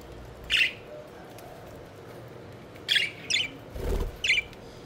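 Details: Pet budgerigars playing and flying about; a few short bright chirps, one alone near the start and a quick cluster of three or four later, over a low steady hum with a dull thump.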